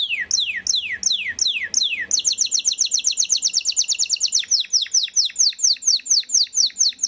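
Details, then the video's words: Belgian canary song: a run of loud descending whistled sweeps repeated about three times a second, then switching abruptly to a fast, even, high chattering trill that continues steadily to the end. "CANARIO BELGA GALADOR"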